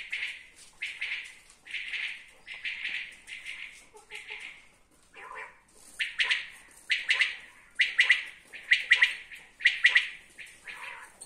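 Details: Common quail giving repeated three-note phrases of clipped, bright whistled notes, steady about once a second, with a brief uneven pause midway before the rhythm resumes.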